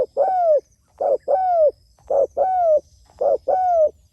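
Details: A spotted dove calls to its companions with repeated two-part coos, a brief soft note then a longer mellow falling one, each pair coming roughly every 1.2 seconds in a steady rhythm over faint high background hiss.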